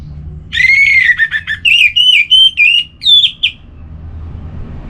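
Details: Orange-headed thrush in relaxed song meant to stimulate other kept birds. A long rich whistled phrase opens, followed by a quick series of varied short slurred whistles, rising and falling, ending in higher notes, then low background hum.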